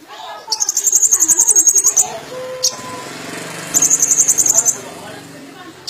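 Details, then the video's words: Van Hasselt's sunbird singing actively with full mimicry: two bursts of rapid, very high buzzy trilled notes, about a second and a half then one second long, over a faint low background murmur. "Burung Kolibri Ninja Gacor Full Isian"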